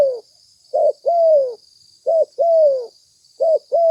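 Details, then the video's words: Spotted dove lure recording: three two-part coos, each a short low note followed by a longer, smoothly falling coo, repeated about every 1.4 seconds over a steady high electronic whine. "Suara tekukur pikat mp3 gacor"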